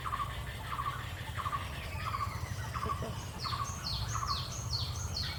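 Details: Two black-hooded oriole chicks resting in their nest without their parents at Purbasthali Bird Sanctuary, India, give short repeated chirps, then thin high notes sliding downward, over a low rumble.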